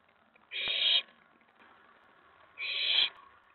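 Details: Owlet inside a nest box on the night of 19 May 2017, excited at an owl arriving on the tray after a mouse delivery. Two rough, breathy screeches about two seconds apart, each near half a second long.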